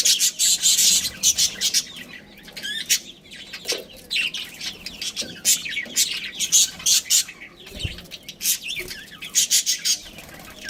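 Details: Budgerigar breeding pair at home chirping in loud rapid bursts of high, scratchy twitters, short pauses between bursts, some softer warbles and faint low knocks.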